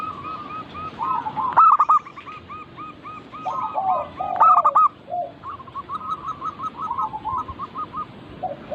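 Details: Group of local zebra doves recorded as a singing lure: dense overlapping trains of short cooing notes with two loud stuttered phrases about three seconds apart.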